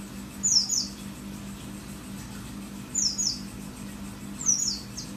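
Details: Mountain white-eye (pleci dakun merapi) giving three brief bursts of very high, thin, descending twittering notes about one and a half seconds apart, part of a 'wit wit wit' song, with a low background hum.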